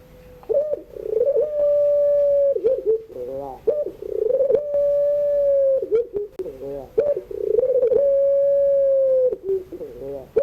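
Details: Long 'pelung' crying song of a ringneck dove in the afternoon, used to train young birds learning to sing: three phrases in a row, each a warbling rolled start and a sustained level coo ending in a downward slide.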